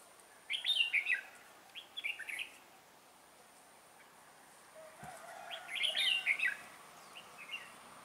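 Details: Red-whiskered bulbul decoy singing beside a trap to lure wild birds, December 2016: two bursts of bright, warbling chirps, a quiet gap between them, light background hiss.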